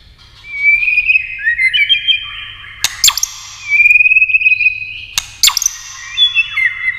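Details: White-rumped shama in fierce competition singing with many voices: long clear whistled phrases, gliding and warbling, broken by two sharp snapping clicks near the third and fifth seconds, then bright whistled notes resume.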